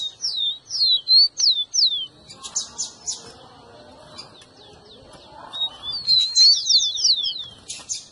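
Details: Rufous-collared sparrow singing, used to get a pet bird singing: bursts of rapid, high, down-slurred whistles, a quiet gap with faint rustling, then another fast volley of sliding notes.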